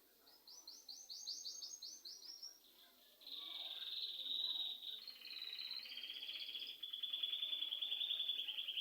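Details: Bird chirping at home: a quick rising series of repeated chirps, followed by several sustained high rolling trills over a background hiss.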